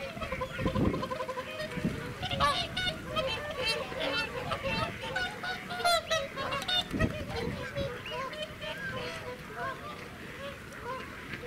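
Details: Close-range whooper swans at Welney WWT, Norfolk, UK, 20 November 2017, a loud flock trumpeting; repeated honking bugle calls overlap throughout, with bursts of louder clamour around the middle and a continuous murmur of many birds behind.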